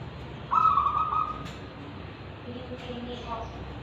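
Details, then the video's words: Local wild-type zebra dove from Tulungagung with Kristal and Ulem voice qualities. One clear, vibrating coo phrase of about three quarters of a second, then quiet hiss and a soft click. "Perkutut Lokal Alam Dengan Suara Ulem dan Kristal"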